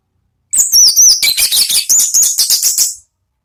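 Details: Orange-headed thrush (anis merah) singing in the loud ngeplong style, used as a lure to draw out other birds: a dense 2.5-second burst of rapid, varied, high whistles and sharp chattering notes, with sliding tones at the start.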